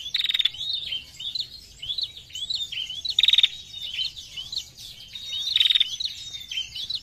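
A female prinia gives a dry, buzzy rattling burst three times, about every two and a half seconds. Thin, high chirps from other birds run between the bursts.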